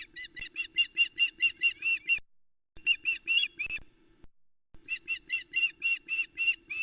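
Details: Female osprey at the Loch Arkaig nest, Scotland, on a July 2020 morning, calling as the male lands with a large headless trout; loud, even series of piercing yelps about five a second, in three bursts, faint hum below.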